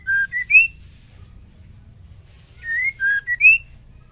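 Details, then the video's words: Female murai batu (white-rumped shama) singing to provoke males: two short phrases of whistled notes, a level whistle followed by a higher upslurred one, separated by about two seconds of quiet hum. "Murai betina gacor ampuh untuk pancingan"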